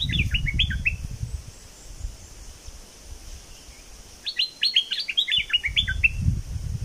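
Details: Bulbul song from southern Thailand, meant to excite birds for trapping: rapid runs of bright, downward-slurred whistled notes at the start and again after four seconds, over steady low rumbling background noise.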